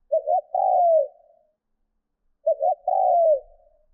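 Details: Caged decoy spotted dove giving its training coo: two identical low phrases, each a pair of short quick notes followed by a longer, gently falling purr, separated by two seconds of silence.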